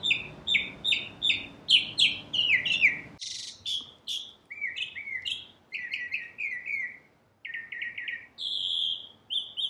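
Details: Northern cardinal song pieced from several phrases: bright downslurred whistles repeated about twice a second, shifting between higher and lower series, with abrupt changes between sections and a quiet background.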